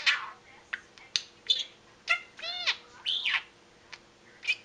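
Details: Pet budgerigar chattering indoors on its own, with no other noises around: soft, scattered squeaky chirps, clicks and buzzy bursts, with one clear curving whistled sweep near the middle, all at low volume.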